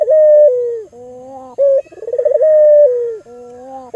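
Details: An albino local Barbary dove calls as a lure to stimulate other doves, with a long level coo that droops at the end, a soft deep hum, a short note and a rapid pulsing roll leading into the next coo.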